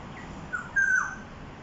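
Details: In Jurong East, Singapore, a black-naped oriole gives a musical call around 1 pm on 13 October 2021. A short clipped note comes first, then a stronger mellow whistle that bends down at the end, against light ambient hiss.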